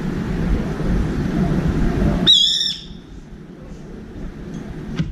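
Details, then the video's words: A brown-eared bulbul visiting a window feeder's outside bar gives a single harsh, piercing, slightly descending screech to find a companion. It stops after half a second, leaving quiet low hum and a faint click. "직박구리 친구찾는 삐이이익 울음소리"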